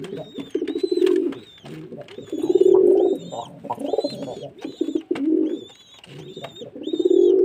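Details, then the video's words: Pigeon cooing arrives in long, vibrating, low-pitched phrases separated by short gaps, while a faint high whistled note repeats above the coos. "Pigeon sound"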